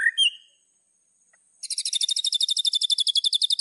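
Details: White-rumped shama in full song as a training master recording, full of fill phrases: a couple of high whistled notes, a pause, then a long, very fast, even high trill.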